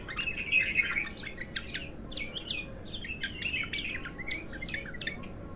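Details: Bulbul called Abtar, untrained, in its first singing session: a busy run of whistled and chattering notes over a noticeable background hiss.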